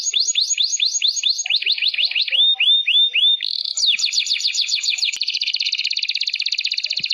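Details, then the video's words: Varied canary song: series of falling whistled notes, a lower slurred run, then fast buzzy trills changing pace, ending in a dense rapid rattle. "MASTERAN CANary Isian MEWAH"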